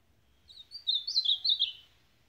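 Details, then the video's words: Ultramarine grosbeak (azulão) singing a quick warbled phrase of high slurred whistled notes, rising and falling, about one second long, over a quiet background with faint low rumble. "AZULÃO SUPAPO"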